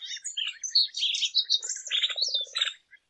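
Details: Lesser goldfinch singing a dense, varied twitter of high chirps and slurred notes, with a brief run of low, evenly spaced pulses near the end before the song stops.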